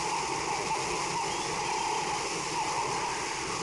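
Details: Broadband rushing water or wind hiss with a faint tonal hum, and no animal voices.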